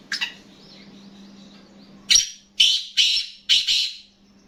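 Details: Black francolin kept as a hobby bird: after a brief faint note and a quiet pause, four loud harsh grating notes follow in quick succession near the end, with a low hum throughout.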